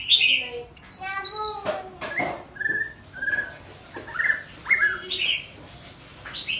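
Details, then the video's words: White-rumped shama youngster practising song, a mix of clear whistles, rapid stacked trills and short slurred notes, phrases separated by brief pauses, some notes dropping low and others jumping high. "Chích chòe lửa non tập hót"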